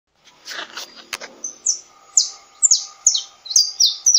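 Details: Saffron finch, known locally as canário-da-terra, singing a series of sharp downward-sweeping high notes that grow louder and closer together after a softer, scratchy start; steady low humming tones run underneath.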